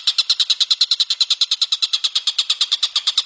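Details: Kingfisher, known locally as tengkek buto, recorded as a training lure for songbirds: a fast, even rattle of sharp, high notes, about eight per second, running without pause through the whole stretch.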